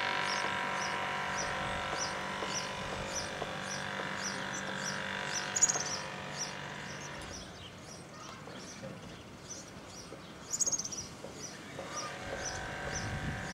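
A European serin sings a very high, thin jingle of rapid notes, about four per second, pausing briefly midway, over a low steady hum of distant traffic.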